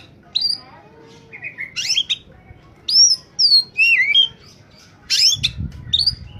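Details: Oriental magpie-robin singing strongly, used as a lure for birds: varied whistled slurs rising and falling, buzzy bursts, and a few softer low notes, with a short low rumble near the end.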